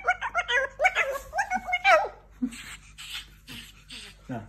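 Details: Captive-bred female Umbrella cockatoo, hatched in Iran in September 2017, kept as a pet in Tehran and speaking Persian. About two seconds of quick, high-pitched harmonic speech-like syllables, followed by softer breathy hisses and faint clicks indoors.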